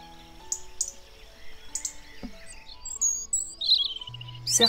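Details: A European robin sings in early spring on 13 March 2019, probably a territorial song: high, thin, wavering phrases of varied notes with short pauses, over a woman's voice talking and a low steady hum.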